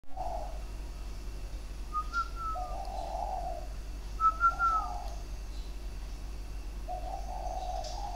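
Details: Captive spotted dove with a sharp, tight voice, singing in the three- and four-note style on 23 February 2020. Soft low coos come in short bursts, with a thin whistled note near two and four seconds over a steady low hum.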